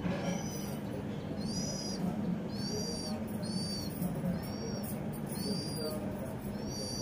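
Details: House sparrow living around a home, calling with loud, repeated chirps, each a short downward-curving note with ringing harmonics, spaced under a second apart against a droning hum.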